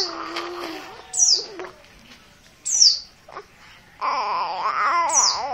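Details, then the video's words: Oriental white-eye, a raw Merapi bird, giving insistent calls: three piercing, falling notes spaced over several seconds, partly masked by a loud, steady, wailing drone and low warbling sounds. "Pleci dakun merapi bahan, call ngotot"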